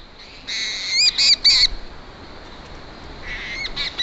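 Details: Seabird calling at night in summer 2013 on Matushka Island, Alaska Maritime National Wildlife Refuge, captured by an automated Songmeter: a run of nasal, harmonic notes, then a similar call after a pause, over steady background hiss.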